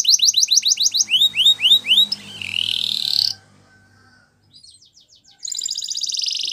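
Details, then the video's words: Spanish Timbrado canary singing: a run of loud, repeated upward-sweeping whistled notes, then a long buzzy rising tour, a brief pause with soft ticking, and a bright rapid trill at the end. "Canary Bird Singing !! Spanish Timbrado Song"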